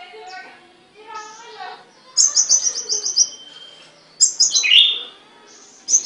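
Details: Caged songbird giving soft low warbles, then bursts of high, rapid trilled notes and a bright descending whistled phrase, separated by short pauses.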